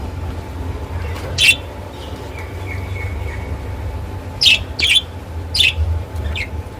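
Lovebirds give shrill, sharp chirps, one early and then four in quick succession near the end, over a low steady indoor hum.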